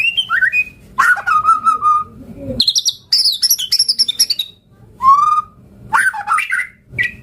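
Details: White-rumped shama song meant to provoke answers: a mix of clear descending whistles, scratchy high chatter and buzzy notes, with brief pauses between phrases.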